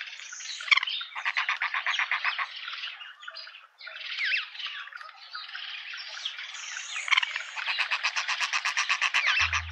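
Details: Juvenile hornbill accompanied by its parents, suburban garden in Pretoria, South Africa; several bouts of quick repeated clucks separated by softer squawky chatter, ending in a strong regular run.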